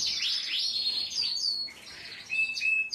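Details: Belgian Frill canary singing a fast, high-pitched song of rapid trills and sweeping whistled notes, ending in short steady whistled tones.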